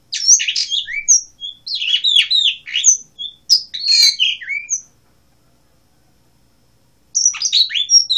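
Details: An Asian blue rock thrush sings a fast, varied warble of bright chirps and short whistles in two bursts, separated by a brief silence.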